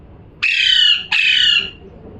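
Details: Parrot giving two harsh, loud squawks in quick succession, each about half a second long with a slight falling tail, in a quiet indoor setting.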